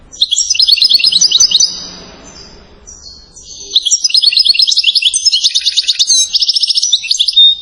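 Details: European goldfinch from Settat, Morocco, singing in the chain style called salasiyat: two bursts of rapid, high liquid twitters and rattling trills, split by a short quiet gap, ending on a thin whistled note.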